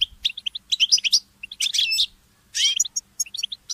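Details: Mule goldfinch, a goldfinch hybrid, in early-morning song: clean bursts of high chirps and liquid trills separated by short silences, including one drawn-out whistled note, in a quiet background.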